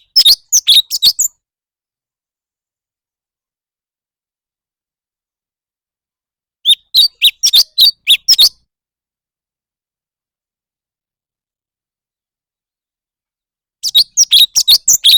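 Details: Leafbird in a singing contest, giving three short bursts of rapid high chirping notes, each burst lasting one to two seconds, separated by long silent gaps of about five seconds.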